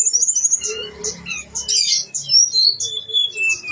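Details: Blue-winged leafbird singing actively with its full range of imitated phrases: bright high whistles and slurred notes, a burst of dense chattering near the middle, then sweeping whistled phrases with some quieter low hum beneath.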